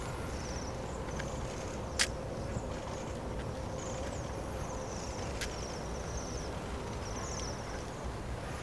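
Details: Thin, high, sibilant trills from Bohemian waxwings drinking at Népliget park, Budapest, Hungary, during an invasion, come in short bursts every second or two over a steady low rumble of city traffic, with a few sharp clicks.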